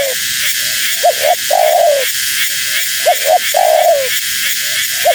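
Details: Spotted dove hen cooing, said to attract wild doves: two clear phrases, short twin hoots and a longer falling coo, softer notes between, with background hiss.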